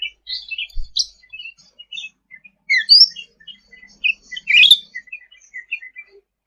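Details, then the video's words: Sooty-headed bulbul singing actively, a recording meant for tutoring other songbirds: high, scattered chirps and short twittered notes in irregular bursts, with one louder burst near the end and a faint low thump early on. "Suara Cucak Ranting Gacor untuk Masteran ll Suara burung cucak rante"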